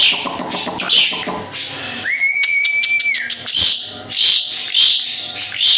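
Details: Asian pied starling singing energetically as a tutor bird: scratchy, noisy bursts, then a single long steady whistle of about a second, followed by more harsh chattering notes.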